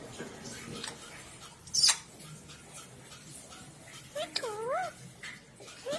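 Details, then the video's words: Talking parrot giving a short wavering, harmonic vocal phrase a little past the midpoint, amid soft indoor background noise, scattered clicks and a sharp brief burst earlier on. "Cute Talking Parrot"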